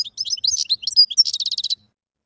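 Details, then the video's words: A wild European goldfinch sings one dense phrase of high liquid chirps and slurred notes that runs into a fast, evenly repeated trill before stopping. "تغريد الحسون البري #goldfinch_song"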